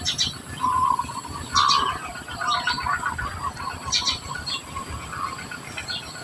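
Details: Society finch feeding young: bursts of rapid, harsh chirping about every two seconds, mixed with lower warbling notes, over constant background noise.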